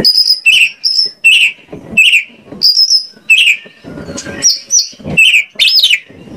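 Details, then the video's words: Oriental magpie-robin song from Indonesia, played as a lure so any magpie-robin answers: regular paired notes, each a high whistle dropping into a lower slur, repeated about every half second, then arched sweeping phrases. "PANCINGAN KACER AGAR ON MAU NGOBRA !! KACER MANAPUN PASTI LANGSUNG NYAUT"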